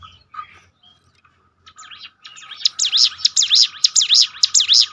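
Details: Bar-winged prinia training song: faint scattered chirps at first, then loud, rapid, evenly repeated high swooping notes.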